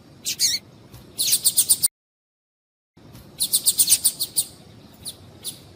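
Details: Female double-collared seedeater calls intended to make males sing: fast rattling runs of high, bright notes, about four per second, broken by a brief silence before another rapid series.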